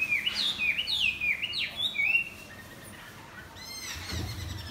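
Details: Morning song from a wing-flapping Chinese hwamei: bright, falling whistled slurs tumble out in quick sequence for two seconds, then quieter, with a faint rapid chatter and a low thud near the end.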